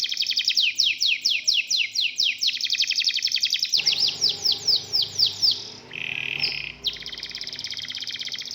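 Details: Local domestic canary sings rapid high repeated notes in a trill, then a brief break with a lower steady whistled tone before the fast trill resumes; faint background noise.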